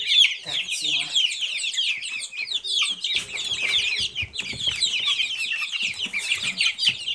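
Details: Silkie chicks calling in a continuous shrill twitter, overlapping peeps rising and falling in loudness over seven seconds.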